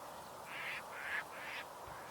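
Caspian terns give three harsh, rasping croaks in quick succession, about half a second apart, over a steady background hiss.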